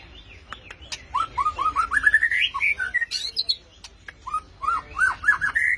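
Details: White-rumped shama singing rolling, rapid warbled trills in a mid-pitched band, in two long bursts with a short pause between, over a faint noisy background.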